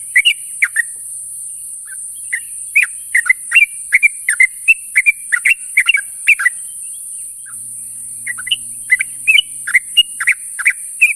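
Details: Sooty-headed bulbul calling to companions in the morning, a long lively series of bubbly rising-and-falling notes, a brief lull near the middle, then renewed chattering; faint low hum and steady high hiss behind.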